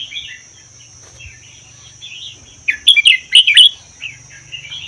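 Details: A red-whiskered bulbul from the Vietnam–Laos forests, kept caged for a year, sings soft slurred phrases and then a loud, rapid run of rich chortling notes. A low hum and a steady high tone are heard.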